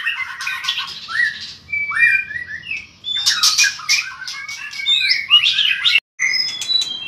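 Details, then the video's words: White-rumped shama in a cage, singing in competition while flicking its tail strongly; loud whistled phrases and buzzy chatter alternate with short pauses, and a brief dropout near the end. "chòe lửa hót đập đuôi cực mạnh"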